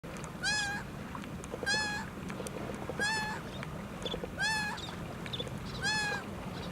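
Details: A one-legged laughing gull in the United States calls over and over: nasal, mewing notes with a slight rise and fall, five calls spaced about every 1.3 seconds, over a steady low background rumble.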